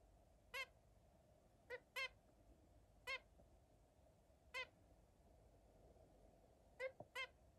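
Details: Zebra finch with other birds giving short, nasal, beep-like calls singly or in quick pairs, spaced irregularly over a quiet hum.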